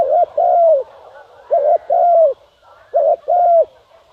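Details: Decoy spotted dove calling to lure wild doves: three low, hoarse two-part coos, a short note then a longer rounded coo, repeated about every one and a half seconds over a quiet background.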